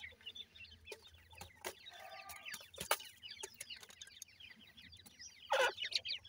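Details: Grey francolin chicks (dakhni teetar) with a pair of adults give faint, rapid, downward-sliding peeps throughout, broken by sharp knocks and a louder rough burst near the end.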